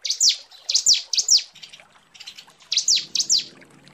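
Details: Female bar-winged prinia calling the male: a series of high, sharply downslurred notes, about three in quick succession, a brief gap, then three more piercing descending notes.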